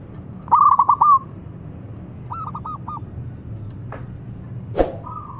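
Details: Local zebra dove calling loudly: a sharp burst of rapid, bubbling coo notes, then a softer stuttering coo series, a few dry clicks and a faint drawn-out coo at the end.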